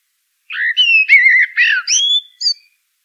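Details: Common blackbird singing in a garden or parkland setting: a short phrase of rich, fluting whistled notes sliding around the middle register, ending in a few higher squeaky twitters, with clean silence before and after.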